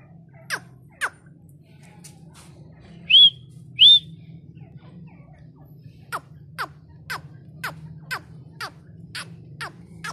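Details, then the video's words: Female partridge (teetar) gives a steady series of sharp, thin, downward-sweeping notes about every half second, with two short whistled upslurred notes between them and a low steady hum underneath. "Female masti l Teetar lovers l Teetar awaz"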